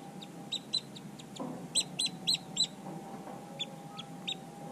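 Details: Long-billed dowitcher giving sharp, high keek notes, singly and in quick doubled bursts, about a dozen over the span, against a steady low hum and faint background rumble.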